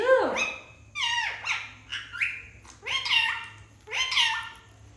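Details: Pet parrot vocalizing while playing, about six loud, harsh, squawky calls with sliding pitch, some dropping and others rising, spaced roughly a second apart in a quiet room.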